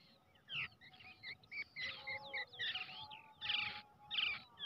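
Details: Brown shrike nestling raised from the egg by hand, making varied squeaky and rasping notes in quick, uneven bursts over a noisy background hum.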